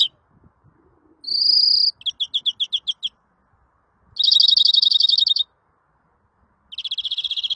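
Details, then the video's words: A singing greenfinch mixes a sustained wheezy tone with rapid ticking trills and long, fast, buzzy rattles. Soft background noise is heard between phrases. "El Mejor Verderon del Mundo 2020"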